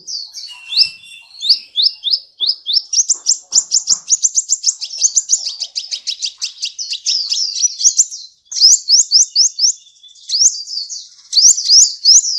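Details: Sunbird singing on a masteran recording used to train cage birds: a long, fast run of high, thin upslurred notes, repeated evenly at first, then quickening into dense twittering trills with brief pauses.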